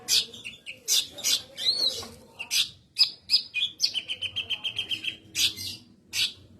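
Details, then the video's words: Loud, melodious cucak kinoi song: rapid high chirps and sweeping notes, including a fast run of evenly spaced repeated notes in the middle, ending with a few sharp bursts. "Cucak Kinoi memiliki suara yg nyaring dan merdu"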